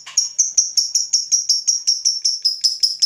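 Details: Fighter lovebird provoked by a rival, giving its long ngekek: a rapid, steady series of shrill, high chattering notes, about four per second, each with a sharp onset, continuing unbroken in a quiet background.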